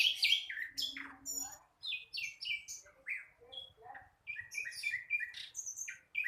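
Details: Juvenile flycatcher, known locally as sikatan londo, still learning to sing, pours out a rambling string of short, varied chirps, slurred notes and high squeaks in quick irregular bursts, with a faint low hum underneath.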